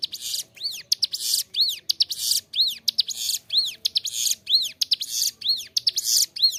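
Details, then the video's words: Bar-winged prinia (ciblek gunung) singing nonstop in a clear voice, recorded as a training master for captive songbirds: arched whistled notes alternate with harsh buzzy bursts, about one phrase per second. "Ciblek gunung gacor suara jernih, cocok buat masteran"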